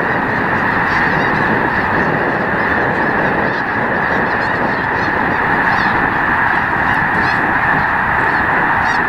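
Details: Snow geese in their hundreds of thousands at Loess Bluffs National Wildlife Refuge, February 2020, keep up a constant honking roar, punctuated by brief higher yelps above the mass of voices.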